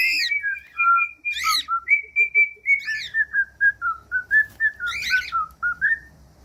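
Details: Cockatiel whistled song for teaching cockatiels to sing: a long, even train of short whistled notes that slowly fall in pitch, with a few harsh buzzy calls over the top.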